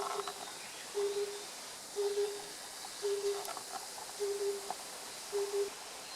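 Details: Oriental cuckoo (Cuculus saturatus), recorded 8 June 2015 in Japan: low, hollow hoots repeated about once a second, each a short even note, steady and regular over a soft background hiss.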